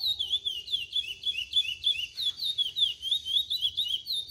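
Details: A chestnut-bellied seed finch sings a fast, unbroken run of clear, high whistled notes, rising and falling in quick loops, with a faint low hum beneath.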